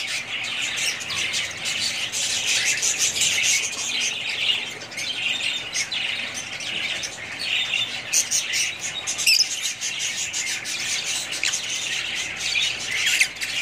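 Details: Budgerigar family flock chattering at length: rapid overlapping chirps, squeaky warbles and occasional harsher squawks form a continuous high babble.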